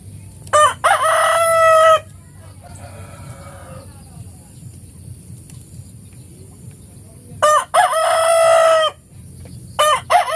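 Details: A rooster crows in the morning, a loud harmonic cock-a-doodle-doo with stuttering start and long sustained tail, a fainter distant crow after it, then a second full crow and the start of a third.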